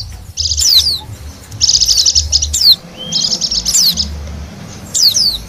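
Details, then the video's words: Wild Bali white-eye sound used to lure wild birds: bursts of very high, fast twittering trills with sharp downslurred chirps, in phrases separated by short pauses, over a low intermittent rumble. "suara pikat dan pancingan bunyi burung pleci bali liar"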